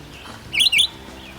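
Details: A Red-eyed Vireo on a forest trail at Barnes Park Campground, Michigan, gives a quick pair of high, slurred whistled notes, the second sliding downward, against a quiet forest background.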